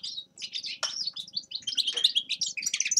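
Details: Grey-crowned goldfinch delivering a fast, jingling twitter of bright chirps and short rattling trills for three seconds without pause, with a quiet steady hum in the background.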